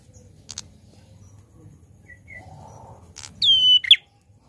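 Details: A prenjak klawu prinia gives a loud, clear whistled note that slides down, then a sharp bright note, after a few dry clicks and near silence.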